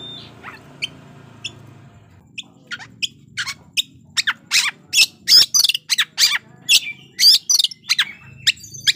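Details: Oriental magpie-robin bait song meant to stir rival males' fighting temper: scattered squeaks that build into a rapid, irregular run of sharp chips, trills and whistled notes, fast and urgent toward the end, over a faint low hum.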